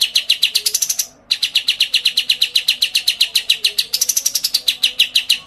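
A white-eye gives a fast, high, run-on chatter of thin chirps, about eight notes a second, with one brief pause.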